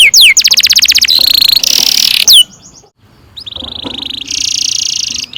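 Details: Canary singing a long-rolling song used to teach young canaries to sing: downward-sweeping whistles, then a fast buzzy trill of rapid repeated notes and a steady high roll, a brief quiet gap, then more dense rolling trills.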